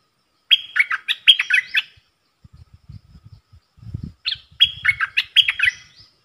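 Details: Caged bulbul in a song duel with wild birds, 3 October 2021: two bursts of fast, chirpy, whistled phrases separated by a pause filled with low knocking and handling noises.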